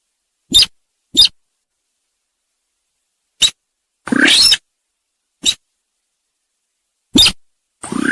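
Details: Sintar sawah lure call for trapping: irregular dry clicks and clucks, broken by a longer harsh, buzzy rasp. Another rasp begins right at the end, with quiet gaps between notes.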